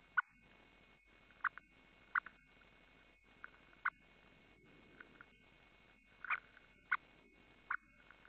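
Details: Montagu's harrier at the nest on 23 June 2015, female bringing a mouse and feeding the young: short sharp clipped notes, about eight scattered through the clip at irregular gaps of roughly one second, over a steady faint hum.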